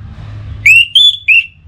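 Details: Orange-headed thrush (anis merah) with pacingan stimulus sound: three pure, drawn-out whistled notes, the middle one higher and longest, given in quick succession against a faint low hum.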